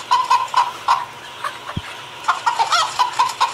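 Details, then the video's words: Chicken cackling at dawn: short bursts of harsh clucks, a brief pause mid-way with a single click, then quicker clucking resumes. "Galinha cacarejando"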